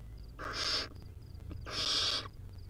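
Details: Wild barn owl chick feeding on a rodent makes two harsh, noisy hisses about half a second long, separated by a pause with faint ticking.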